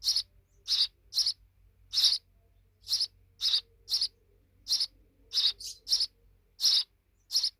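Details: Big sparrow youngsters give a quick, irregular run of high, harsh chirps, often in pairs, about a dozen in under eight seconds, with a low steady hum beneath.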